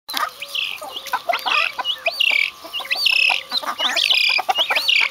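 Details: A group of vulturine guineafowl (Acrocolliformis vulturinum) gives busy, overlapping high chattering and squealing calls in a chorus.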